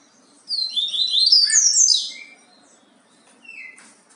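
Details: Yellow-bellied seedeater singing the Bahia song type: a rapid, tumbling run of high whistled and buzzy notes lasting under two seconds, then a short falling whistle after a pause, over a faint low background hum.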